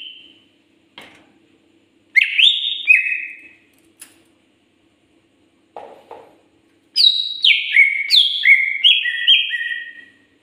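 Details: Greater green leafbird, called cucak ijo, singing in lively gacor form: bright whistled phrases that slide downward in stepped notes, one short burst early, then a longer run of falling whistles, with a faint steady low hum and scattered clicks.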